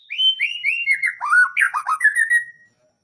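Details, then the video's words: Magpie-robin in full voice at a songbird contest: a flowing phrase of whistled, warbling notes that slide downward and rise again, loud and clear, ending in a steady held whistle. "Burung MURAI GACOR bocor materi di gantangan durasi PANJANG"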